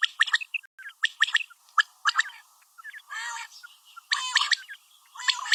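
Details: Female common quail calling: bursts of sharp, buzzy, clicking notes in quick clusters, some rising in pitch, with pauses between groups and a few short tonal pips.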